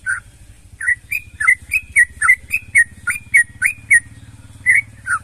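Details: Sooty-headed bulbul in full, energetic song meant to stir other bulbuls into singing: rapid, bubbly rising whistles in an uneven run, over a steady low engine-like hum.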